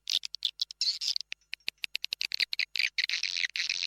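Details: Indonesian swiftlet lure call for attracting swiftlets: dense rapid twittering of buzzy chirps and sharp dry clicks, repeated quickly and unevenly, becoming a continuous chattering buzz toward the end.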